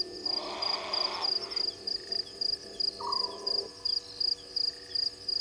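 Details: A grey heron calls at 00:24 on 23 March 2020 at Gowrie dam waterhole, Djuma Game Reserve, Sabi Sand, South Africa: a harsh croaking squawk, then a shorter rasp, over a night chorus of evenly pulsed insect chirps.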